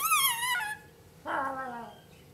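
A lorikeet gives two calls: a quavering, wavering squeal, then after a brief pause a harmonic whine that slides downward.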